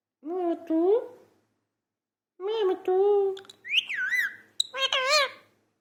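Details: Parrot talking in two bursts: first a rising, wavering nasal phrase, then after a pause a level harmonic note followed by high looping whistles and wobbling warbled syllables.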